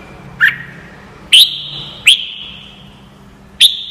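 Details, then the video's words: Red-whiskered bulbul song used as training audio for young birds to learn: three loud, clear whistled notes spaced about a second apart, each a sharp upward flick trailing into a long ringing tone, with faint low hum beneath. "CHÀO MÀO | Luyện giọng chim hót cực hay - luyện má trắng nhanh học giọng"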